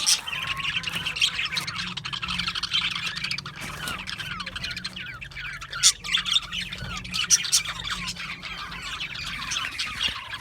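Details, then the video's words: Budgerigars chirp and squawk in a continuous group chorus, quick rising whistled notes and scratchy chatter layered thickly, with some louder sharp calls toward the end and a low background hum. "Cute Budgies chirping Sounds | Budgies relaxing Sounds | Budgies parrots Sounds"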